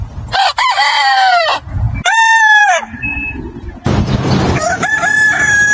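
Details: Farm rooster crowing: a loud harmonic crow with an arched pitch, a short second arched phrase, then background clucks and noise before another wavering crow sets in.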